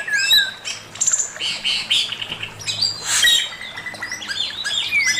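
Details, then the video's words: Male Chinese hwamei master song, a rich, varied run of loud whistled phrases, sweeping up and down, mixed with short trills and sharp chirps, with barely a pause between phrases. "Burung poksay mandarin suara masteran Poksay mandarin jantan"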